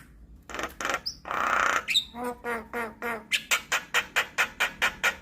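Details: Javan myna song used as a lure and tutor recording for all kinds of starlings: a raspy hissing burst, short whistled notes, then a fast run of harsh, clipped notes repeated about twice a second.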